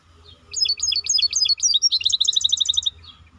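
A maestro bird sings a quick run of high, falling whistled notes, then a fast, even trill of repeated chips, over a faint low hum.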